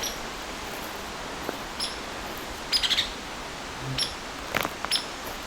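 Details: An agitated Hairy Woodpecker in evening woods with red pine and aspen or poplar gives five or six sharp, piercing, high peek notes at uneven intervals, some in quick pairs, possibly warning of a predator near a nest, over a quiet hiss.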